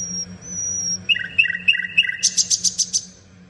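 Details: A common nightingale gives a long, thin, level whistle, then four spaced mid-pitched notes, then a rapid burst of loud, high, buzzy repeated notes that trails off, over a faint low hum.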